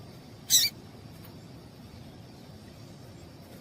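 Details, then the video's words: One short, high, hissing chip from a female yellow-bellied seedeater, followed by a long pause and the start of another note at the end, over a faint constant high tone. "Esse Piado de Fêmea de Papa capim é Seu Papa capim Vai Ficar Cantando RÁPIDO!!!"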